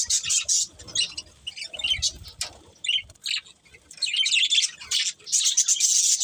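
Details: Budgies chattering in uneven bursts of scratchy, high chirps and squeaks, with quieter gaps between the louder outbursts.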